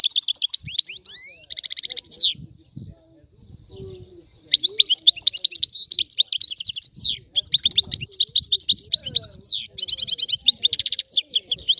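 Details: Long European goldfinch song: bursts of bright twittering and fast rattling trills, a short near-silent break with faint low background noise, then sustained lively chattering phrases.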